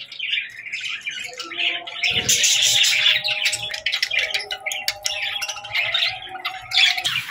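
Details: Chirping birds with sweet, joyful calls: fast, irregular twittering and harsh squawks, about three notes a second, rising to a louder burst around two to three seconds, over a constant low hum.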